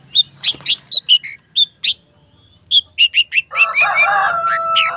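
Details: Long-tailed shrike singing: rapid series of short, sharp notes near the upper-middle range, a brief pause, then more quick notes merging into a harsher, broadband chattering passage with lower tonal strands at the end.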